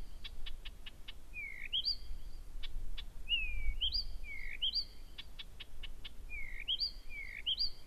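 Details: At one in the morning on 15 June 2014 at Gerå Engvej, Denmark, a Blyth's reed warbler sings nonstop and very loudly: dry ticking series, then paired down-slurred and up-flicked whistles repeated rhythmically in groups.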